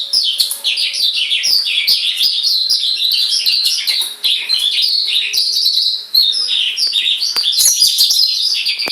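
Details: Tame white-rumped shama released outside its cage, staying put and singing vigorously. Nonstop loud, varied warbling with rapid twittering runs and slurred whistles, barely pausing across the whole stretch, with faint clicks in the background.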